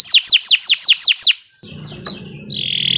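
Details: Canary in long, continuous singing used as a master recording for training other birds: seven loud, evenly spaced downward-sweeping whistles in quick succession, then a pause with faint background hum and a few thin chirps.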